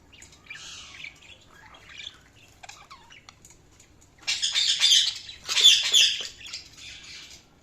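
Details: Budgerigars warble softly at first, then break into two long, loud bouts of rapid, harsh chattering in the second half.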